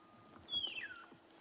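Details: A magpie shrike gives a single clear whistle sliding downward from high to mid pitch over half a second, on a wet, rainy sunrise on March 12 at Djuma private game reserve, with flying termites about.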